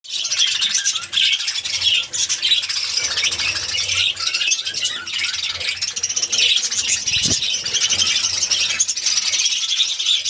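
A budgerigar colony keeps up a dense, continuous chatter of high warbles, chirps and squeaks.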